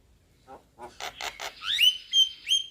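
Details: Young Javan myna: a few soft grating notes build into louder rasps, then a run of clear slurred whistles.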